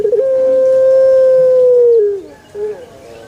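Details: One long pelung chicken crow from a banana garden: a sustained, steady, ringing tone held for about two seconds, sliding down at the close, followed by a short faint note.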